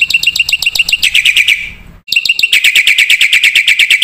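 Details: Black-winged myna (jalak putih) in full song: rapid trains of sharp, ringing metallic notes, roughly three per second, broken by a brief pause before the series resumes just as fast.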